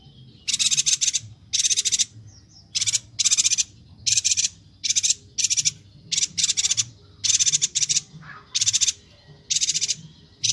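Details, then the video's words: Bornean yuhina singing actively, offered as training song for other songbirds; about a dozen high, buzzy rattling bursts at a steady pace, each roughly half a second, with short gaps. "Suara burung Perenjak Batu/Yuhina Kalimantan Gacor"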